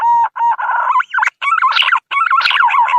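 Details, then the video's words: Green pigeon lure call used to attract birds: a run of clear, modulated whistled notes with bright harmonics, wavering up and down in short phrases broken by brief pauses. "SUARA PIKAT BURUNG PUNAI"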